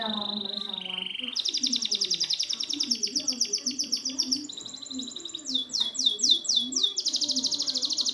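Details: Canary song meant to coax non-singing canaries: steady whistled notes, then long rapid trills changing pitch in several tours, ending with sharp descending sweeps and a high rattle.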